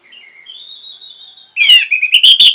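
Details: Masteran song of the Orange-headed thrush, used to train caged birds: soft, steady, thin whistles, then a loud, abrupt run of rich, chattering notes.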